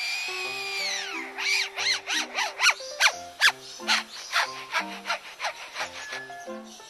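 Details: A male Superb Lyrebird, a mimic of forest birds and man-made machinery, gives a long falling whistle, then a fast run of raspy, sweeping mechanical-sounding notes, about two or three a second, over soft background music.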